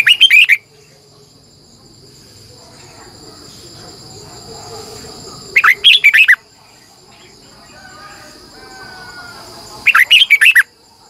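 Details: Decoy red-whiskered bulbul in morning song with a long, twisting double voice. Three loud phrases of rapid, rising and falling whistled notes, each about half a second long, separated by pauses. A constant shrill insect-like hum runs underneath.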